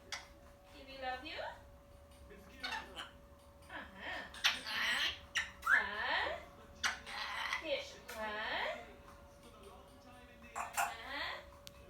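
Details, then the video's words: A young pet parrot, a few months old, indoors, "conversing" with its owner: rising and falling squawky, nasal chattering phrases in bursts every second or two, mixed with soft human speech and a faint steady hum. "Baby parrot conversation"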